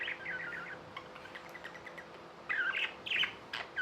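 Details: Tame budgies chirping: a quick warbled phrase, a softer lull, then louder squeaky chirps in bursts near the end, low hum throughout.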